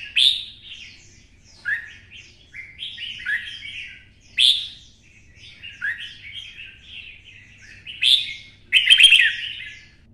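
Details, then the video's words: Red-whiskered bulbul with a twisted voice, excited into full fighting song: series of clear whistled and warbled phrases, each starting with a high sharp note, repeated about every two seconds. "CHÀO MÀO | Giọng xoắn - Kích chim xổ bọng căng lửa hót đấu"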